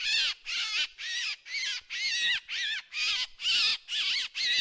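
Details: Drongo in a lure recording: an even series of about nine buzzy, grating notes, each around a third of a second long, given at a regular pace.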